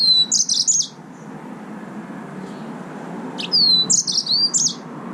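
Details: A yellow-fronted canary, also called green singing finch, delivers two short high bursts of song, each a whistled sweep into fast chattering trills, separated by a few seconds of quiet room noise.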